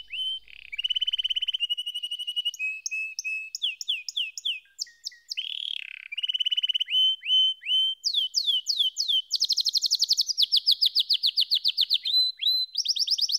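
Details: Extended canary performance mixing low rolled trills, sliding whistles, and sudden bursts of rapid high chips, with the rhythm shifting from section to section.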